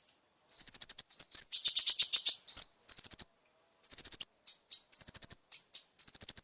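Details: Brown-throated sunbird (konin) song used to make captive birds sing: high, steady whistled trills, a burst of dense scratchy chatter, then repeated trilled phrases with brief higher whistles.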